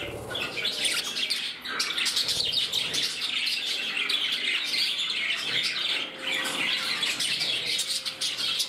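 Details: Pet budgerigars indoors in a group, producing a continuous high, scratchy warbling chatter of rapid chirps that runs without pause, with brief human speech in the background.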